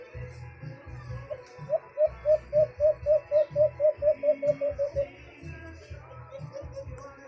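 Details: Caged White-eared Brown Dove in the Philippines, its call called big: a rapid series of about fourteen short, soft hooting coos at a steady pace, slightly falling toward the end, over low thumping and background noise.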